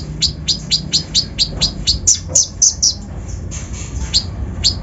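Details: Konin (brown-throated sunbird) lure song with full rough 'isian' filling to provoke other birds: a steady series of high downslurred chirps about twice a second, broken by a few shriller squeaky notes midway.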